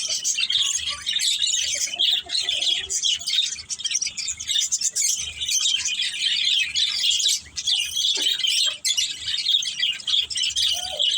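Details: Budgerigars in a family group, playing, fill the air with continuous squeaky chirps and grating warbles, the chatter swelling and dipping in loudness throughout.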